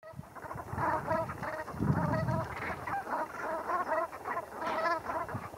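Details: Brent geese bathing and preening at Heybridge Basin, Essex, calling together in a dense, overlapping chorus of short, nasal, guttural notes, with splashing water underneath throughout.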